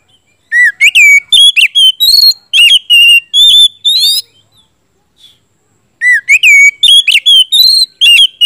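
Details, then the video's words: Gacor song of an oriental magpie-robin, played as a lure for birds that have stopped singing: rapid strings of ringing whistled notes, some rising and some falling, in two phrases with a brief pause between. "siulan kacer gacor ngeplong,kacer macet,bahan langsung nyaut gacor dipancing kacer satu ini"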